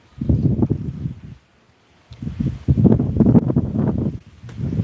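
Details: Outdoors, gusty wind buffets the microphone in low rumbling bursts with a short quiet gap, alongside some rustling; no animal calls.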